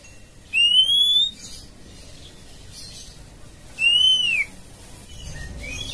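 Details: Calling female oriental magpie-robin summoning the male with two pure, slurred whistles. The first glides upward and the second curves down, separated by a three-second pause in a quiet setting.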